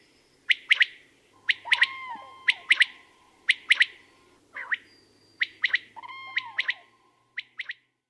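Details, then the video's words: Common quail in Portugal, a small bird whose sudden, loud song is easy to locate though the bird is hard to see. Sharp clipped notes come in quick pairs and triplets, about one group per second. Lower descending whistles from other birds are heard. "CODORNIZ - COTURNIX COTURNIX"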